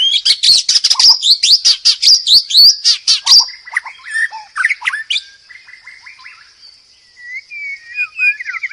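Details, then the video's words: Murai batu (White-rumped shama) in loud, energetic song for masteran: rapid chattering high notes and clicks, then lower slurred whistles, fading to a quiet pause and a few soft rising whistles. "burung murai batu paling gacor masteran keras.. dan ampu.."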